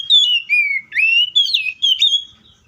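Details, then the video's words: Seychelles magpie-robin delivering a continuous phrase of clear, sweet whistles. The notes dip and rise in five linked segments and fade out at the end. "COPSYCHUS SECHELLARUM BIRDS SOUNDS LIKE IN NATURE LOUD CLEAR SOUNDS"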